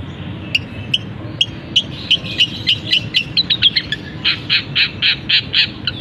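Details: Long-tailed shrike in a cage with its cover just lifted, singing mimicked canary and other bird phrases; scattered sharp ticks build into a steady run of about ten evenly spaced buzzy chirps near the end.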